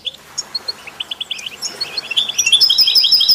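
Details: European goldfinch song offered as stimulation for other songbirds, among canaries and mules: a series of separate sharp chirps roughly every fifth of a second, building into a quicker, louder twittering trill.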